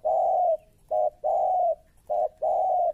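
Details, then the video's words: Spotted dove trained as a trapping lure, cooing loudly in a pattern of long level notes broken by short clipped ones, continuous through the recording. "Suara Tekukur Baru Galak"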